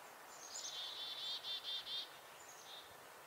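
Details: A black-capped chickadee gives a high, buzzy alarm call, about half a dozen quick rasping notes then a fainter trailing note, over background hiss; a nuthatch freezes in response.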